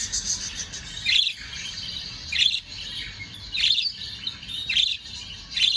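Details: Two budgerigars warble in a steady high chatter, broken by sharp chirps about once a second.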